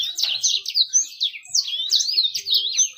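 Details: Bird song played as a lure to prompt fast, lively singing and attract females: rapid high twittering warble of quick rising and falling notes, continuous, with short trills and a faint low tone in the background.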